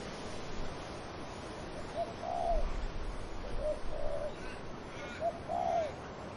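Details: Gentle dove coos, a brief note then a drawn-out arched coo, repeated twice with quieter notes between, heard through a breezy background of wind in trees.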